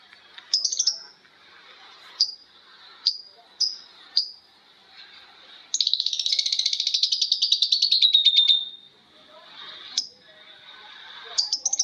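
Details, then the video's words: Long ngekek from lovebirds calling back and forth: sharp separate shrieks, then from about six seconds a steady rapid trill of high ticking notes lasting nearly three seconds, then more single shrieks. "Suara Lovebird ngekek panjang❗Suara bikin Lovebird Betmen vs vio vs paskun saling bersautan."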